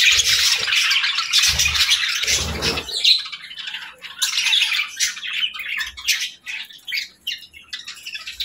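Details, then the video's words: Budgerigars chirping at morning feeding time, an opening burst of busy squawky chatter that thins into scattered chirps and short warbles. "Good Morning Birds Chirping | Budgie Feeding Time"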